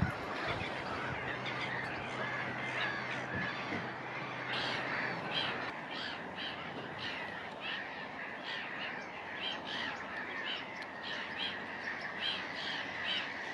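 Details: A breeding colony of Black-headed Gulls at Woolston Eyes in May gives a constant din of harsh, rasping, overlapping squawks from many birds at once, with a low rumble underneath.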